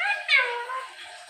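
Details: Alexandrine parakeets kept as pets, talking during speech training with phrases like "Jai Shri Ram" and "Mithu Bete"; a brief raspy, speech-like syllable that starts loud and then trails off into a fading harmonic tone.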